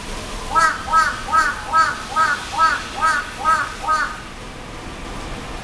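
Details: Large-billed crow in a city calling in a cute voice: about nine short, nasal, slightly arched notes delivered in a steady run roughly twice a second, then stopping, against a constant hum of city noise.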